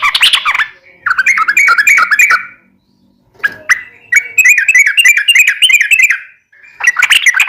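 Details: Yellow-vented bulbul pouring out long, lively rippling song as a lure for captive bulbuls to answer; slurred whistled notes in dense phrases of one to two seconds with brief pauses between.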